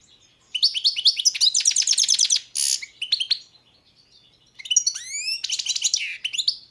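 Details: European goldfinch of the Balkan subspecies balcanica singing: a run of bright, rapid twittering trills and buzzy notes, a short harsh burst, a pause, then clear upward-sweeping whistled notes and more chattering twitter.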